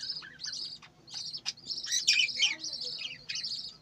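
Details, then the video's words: Budgerigars on a farm warbling in a rapid, buzzy twitter, high chirps run together into a rolling chatter that swells in the middle and fades at the end. "বজিগর পাখির ডাক । পাখির কিচিরমিচির শব্দ"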